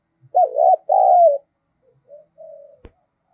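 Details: Spotted dove coos used as a decoy to provoke calling: two strong coo phrases, the second long and slightly falling, then softer trailing coo notes and a sharp click.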